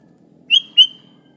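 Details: Sooty-headed bulbul, natural recording used to lure wild bulbuls: two short, loud, high whistled notes in quick succession, the second drawn out into a level tail, over a quiet background.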